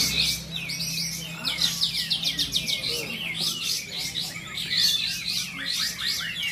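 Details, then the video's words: Bulbul competing in a Kapas Tembak class song contest in Bonjol, Pasaman Timur: rapid high chattering and warbled notes in continuous bursts, with a low background hum and faint voices. "Kelas Kapas Tembak"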